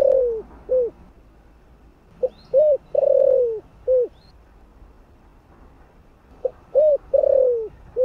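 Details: Repeated low cooing from a spotted dove, 'giọng thổ' voice style, used to stimulate decoy birds. Three phrases of short notes and long burry falling coos, spaced by silences. Faint high chirps from another bird.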